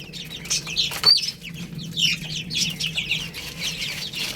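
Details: Chicks feeding on rice, a burst of bright, shrill peeps with one clear slurred note near the first second, then a continuing chorus of overlapping high chirps and soft pecking taps.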